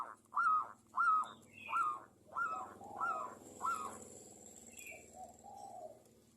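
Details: Local Javanese zebra dove singing steadily as a lure to prompt other doves to sing: a run of six mellow, slightly wavering coos repeated about every two-thirds of a second, fading into softer trailing notes with faint background hiss.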